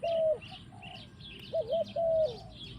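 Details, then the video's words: Forest recording of a spotted dove giving a few smooth, low coos, one long drawn note, then a quick wavering double coo and another long note, with thin chirps from other birds behind. "Mantap Tekukur in the forest"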